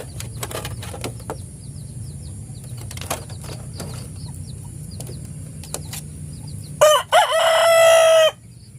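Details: Rooster in the morning: several seconds of scattered clicks and faint chirps, then a single loud harmonic crow with a stuttered start and long held note.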